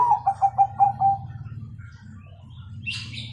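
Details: Bangkok zebra dove singing in the 'kung' style to teach young birds: a brisk string of six mellow, evenly spaced coos over a steady low hum, then a brief high chirp from another bird.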